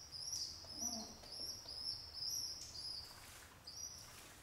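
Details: Young pet pigeons beg as their father, raising them alone, feeds them; piercing level squeals repeat about twice a second, with a brief low murmur near the start.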